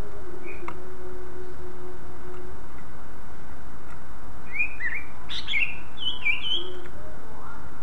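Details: Greater green leafbird singing to prompt other leafbirds to join in. After a quiet stretch of low rumbling noise, a burst of varied high whistles and chirps arrives in the second half, some rising, some dropping.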